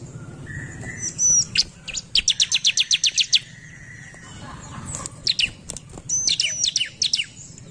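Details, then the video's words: Bar-winged prinia singing at a lure recording, agitated: a fast, regular string of high clicking notes lasting over a second, bracketed by sharp chirps, with a soft steady whistle in the background. "Ciblek Gacor Narung Pancingan Ciblek Cepat Emosi"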